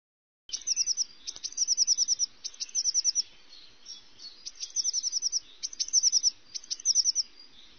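Eurasian blue tit song: very high, thin notes running into quick, silvery trills, given in short bursts about once a second.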